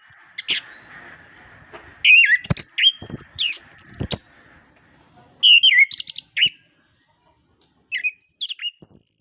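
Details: Orange-headed thrush (anis kembang) master recording for birds reluctant to sing; scattered whistled and slurred phrases in short bursts with pauses between, over a faint steady hum.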